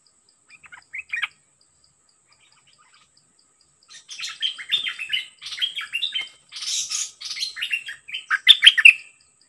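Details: Caged Dok Taeng bird, set as a decoy against an aggressive wild-caught bird, gives a short chirpy phrase. After a pause, about five seconds of dense, excited overlapping warbles and chirps follow, ending in loud sharp notes.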